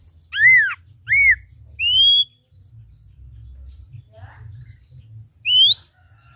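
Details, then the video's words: Ashy drongo, known locally as srigunting abu-abu or saeran, red-eyed and singing vigorously: two arched whistled notes, a long rising slurred whistle, a soft low note, then another upward-sweeping whistle, with steady low background hum. "Srigunting Abu Abu Gacor Mata Merah | SAERAN ABU GACOR"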